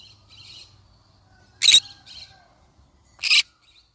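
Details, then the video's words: A yellow-sided (pineapple) green-cheeked conure gives two loud, harsh, rasping screeches about a second and a half apart, with softer scratchy chatter between them. "Yellow sided conure parrot bird sound"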